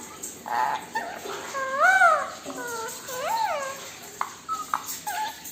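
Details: Pet Indian ringneck parakeet indoors, dancing and vocalising with its owner: a string of arched, rising-then-falling whistles and squeaky notes, some doubled, followed by short sharp chirps near the end.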